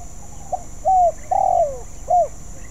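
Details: Spotted dove practising its song: a soft short note, then two mellow coos and a longer one that droops in pitch, ending with a brief rising coo.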